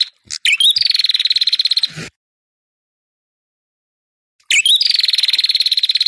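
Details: Ashy tailorbird singing to stir up rivals: a few short introductory notes lead into a rapid, regular pulsing trill lasting over a second, then a long pause before another identical trill starts.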